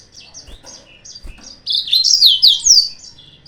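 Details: Yellow-fronted canary singing as a lure to provoke rival birds. Softer, scattered high chirps give way to a loud, fast burst of descending slurred whistles and twitters in the second half. The background is quiet.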